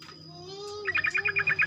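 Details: Sooty-headed bulbul morning song, a lure to set other bulbuls singing rapidly: after a low humming start, a brisk run of about nine evenly spaced bubbly notes, with a steady high-pitched electronic tone throughout.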